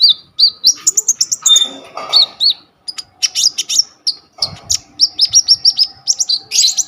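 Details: Vigorous coconut lorikeet (konin) song kept as a master for training kolibri ninja birds, phone-recorded: rapid strings of sharp high whistled chirps, some notes sliding upward, broken by short scratchy bursts and brief pauses.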